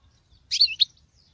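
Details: Female goldfinch with male-style song, here only one brief liquid twitter of two or three ringing notes.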